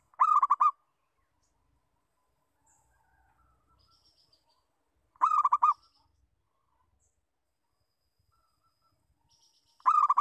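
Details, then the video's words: Lure call of a local zebra dove: brief rolling trills of soft cooing notes, three bursts spaced about five seconds apart, with faint high chirps from another bird in between. "Perkutut Lokal Bersuara Pikat"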